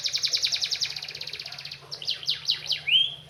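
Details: Canary song in the Indonesian kicau style: a rapid pulsing high trill of about twenty notes, then a few descending slurred whistles and a final rising sweep, clear over a faint low hum.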